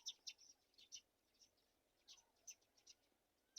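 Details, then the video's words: Several high, thin chirps from black-shouldered kite chicks while being fed a mouse, coming in short clusters separated by quiet gaps, with faint background hiss. "Black-shouldered kite Baby Birds take all the wings on a mouse"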